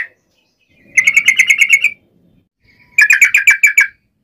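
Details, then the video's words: Fighting-style song of a yellow-vented bulbul (trucukan), aimed at provoking rival bulbuls: two bursts of about eight quick, bright, evenly repeated chirps, separated by a second of silence. "trucukan gacor TARUNG NGGARUDA ROPEL ini AMPUH MEMBUAT agar burung trucuk gacor NYAUT EMOSI SEKETIKA"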